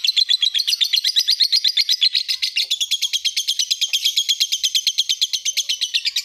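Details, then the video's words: Lovebird singing a master recording meant to teach other birds: a sustained high chatter of quick, regular buzzy pulses, steady in rhythm and rising slightly in pitch partway through. "Masteran burung lb"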